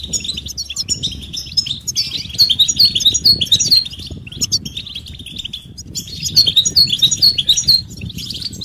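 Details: European goldfinch song in betbeta and setseta styles with mating and readiness calls, played to coax a silent male into singing: bursts of bright, rapid high twittering and liquid trills, pausing briefly, over a low steady background rumble.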